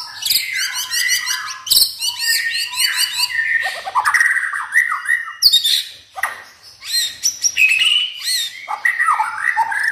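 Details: Household white-rumped shama that has never competed, in full vigorous song: rapid repeated high whistled motifs, harsh chattering bursts and descending fluted phrases, loud and almost unbroken for ten seconds.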